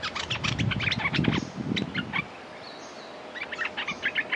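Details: Red-whiskered bulbul calling as a decoy to lure a territorial wild rival: rapid chirping notes over low rumbling at first, then sparser clear whistled chirps after a brief quiet gap.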